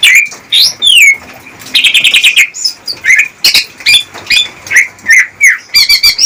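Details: Greater green leafbird courting song for a female in captive breeding: long downslurred whistles, a harsh buzzy rattle, then repeated short bright whistled notes about twice a second and a fast trilled ending.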